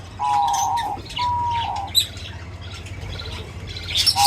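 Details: Feeding birds with two long level whistled notes at the start, then soft scattered chirps over a steady low hum, ending in a sharp high tweet.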